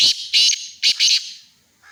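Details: At Khushab, a black francolin calls in loud, scratchy bursts: two pairs of grating notes in under two seconds, harsh and broad, with a faint lower note trailing at the end.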